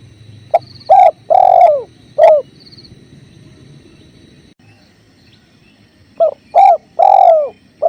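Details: Spotted dove (tekukur) masteran with clear river sounds: a four-note phrase of a short note, a coo, a long drawn coo and a falling final coo, repeated after a few seconds of running water.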